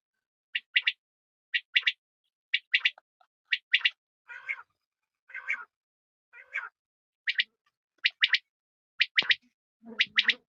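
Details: Repeated quail phrases of sharp high triple notes about once a second, broken midway by three rougher, buzzier notes, with a faint low rumble at the very end.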